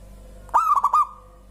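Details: Local zebra dove singing, its voice prompting other birds to join in: one cooing phrase, a sharp opening note followed by three quick rolling hoots on a steady mid pitch, lasting about half a second, then quiet background.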